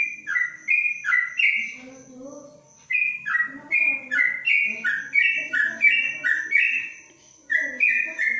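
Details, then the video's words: Yellow-vented bulbul in a covered cage giving its long 'ropelan' song: bursts of rich whistled notes that alternate high and low, with one short pause midway and faint low murmurs beneath. "Trucuk Ropelan Panjang dalam krojong"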